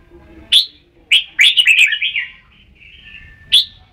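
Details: Red-whiskered bulbul giving a sharp opening note, then a rolling run of cheerful warbled syllables, a softer trailing whistle, and one more sharp chirp.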